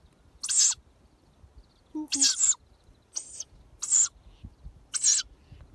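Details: Agitated owlets react to a human mimicking their parent. Five loud, raspy, hissing screeches come in separate bursts, with a brief low double hoot imitation between the first and second.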